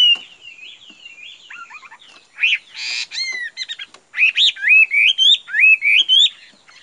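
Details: Caged Chinese hwamei song: quiet warbling, a brief harsh rasp, then a loud series of rising, looping whistled notes repeated in quick succession.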